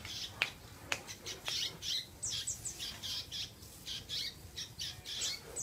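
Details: Canary, a lively singer, singing in quick bursts of high, buzzy trills and chirps; a few sharp clicks early on.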